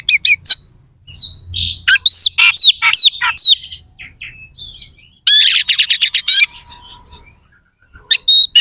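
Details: Oriental magpie-robin in sustained song of harsh fill-in phrases: dense repeated rasping upslurs, a grating rattle-like burst, then high whistled notes.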